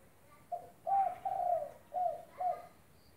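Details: Active spotted dove (derkuku) used as a training model for doves that stopped singing: a phrase of five soft, low, slightly falling coos, with a long note in the middle and two shorter notes closing, in a quiet background.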